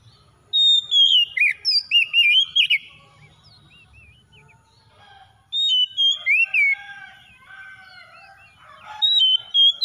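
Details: Kacer, the Oriental magpie-robin, in a lure recording to prompt a quiet bird into song: two bursts of rich, varied whistled phrases with sweeping slurs, separated by several seconds of near silence.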